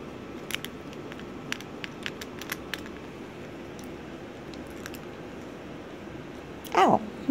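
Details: Pet cockatoo Onni, indoors during a drawing session, gives a single loud, harsh squeak at the very end after several seconds of quiet tapping and scratching.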